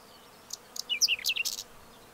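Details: Whinchat song: one short, scratchy, twittering phrase of about a second, a burst of high squeaky and buzzy notes that ends abruptly, with quiet before and after.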